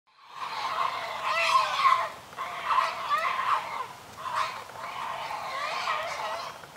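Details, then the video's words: Great Blue Herons feeding a chick in a noisy feeding frenzy: the chick begs with harsh, rasping, chattering calls in three long bouts, each lasting one to two seconds. "Sounds of Great Blue Herons feeding a chick"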